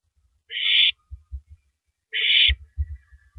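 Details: Owl on a live nest camera at 3:33 AM, April 9, 2012, shredding a large rabbit: two drawn-out, raspy hissing screeches under two seconds apart, separated by a run of dull thumps and rustling from feeding.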